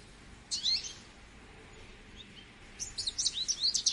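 An American goldfinch gives a high, twittering run of quick notes, a brief burst and then a longer jumbled warble, over faint background hiss.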